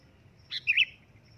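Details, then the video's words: A single loud call from a sooty-headed bulbul: a sharp opening note, then a rich, bubbling whistled flourish lasting under half a second, over quiet background hum. "suara keras burung kutilang memanggil di jamin langsung nyaut"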